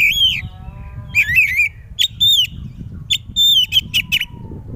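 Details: Oriental magpie-robin in full loud song meant to make other magpie-robins answer: rich whistled phrases, slurred downward and rising notes, then sharp bright chips and short trills, with a low rumbling background hum.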